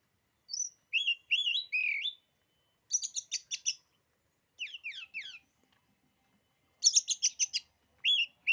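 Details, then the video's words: Oriental magpie-robin song meant to intimidate rival birds: bright whistled phrases, bursts of fast dry clicking notes, and chains of quick falling notes, delivered in separated bursts over a quiet background. "kicauan kacer ini, bikin nyali kacer lain jadi ciut."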